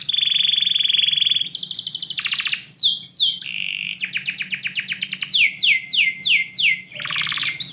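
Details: Inside a house in the morning, a canary holds a clear high whistled trill, then rolls into rapid rattles and a long run of evenly repeated downward-slurred notes, with a low hum underneath.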